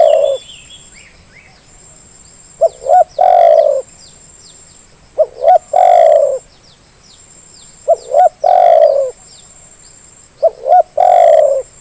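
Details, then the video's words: Repeated lure call of a spotted dove to coax reluctant birds into calling: about five phrases, each two short notes then a long descending coo, spaced two to three seconds apart, with a steady faint high tone. "Suara pancingan terkukur yang malas jadi bunyi"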